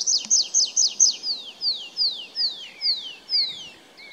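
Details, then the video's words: Singing tree pipit at Kuzawka on 23 April 2019: a quick run of five sharp, high, falling chips, then slower drawn-out downslurred whistles about twice a second. "Śpiewający świergotek drzewny"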